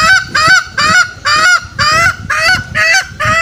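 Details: Green junglefowl sound used as a hunting lure to bring wild males out: slower, drawn-out honking notes with an upward hook, about two per second, over faint low background noise.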